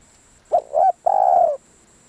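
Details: A decoy spotted dove gives one phrase: a brief rising coo, a second short coo, then a longer level coo that falls away at the end. The background is quiet.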